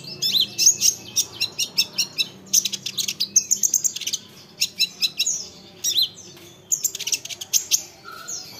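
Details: Olive-backed sunbird song, used to provoke other sunbirds into answering: rapid bursts of thin, high chirps and twitters, each burst about a second long, separated by brief pauses, with one short lower whistle near the end.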